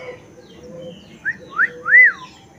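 A Black-naped oriole gives three fluty, liquid whistles, each longer and louder than the last, the final one rising and falling over a soft background hum.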